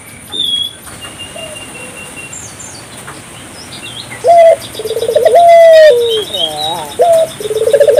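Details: After a quiet stretch with distant bird chirps, an African collared dove, calling to stimulate local doves, gives a short note, a rapid throbbing trill into a long falling coo, then wavering notes and another trill.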